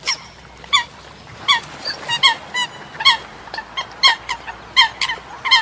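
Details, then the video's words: Short nasal honks from Eurasian coots, repeated roughly every second over a steady low background hiss, with softer calls from more birds. "Tiếng sâm cầm"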